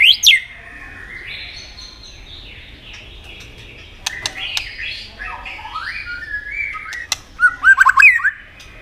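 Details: White-rumped shama singing competitively: a long stretch of soft, varied whistling that steps up and down, punctuated by clicks, ending in a quick loud run of jerky, twisting notes.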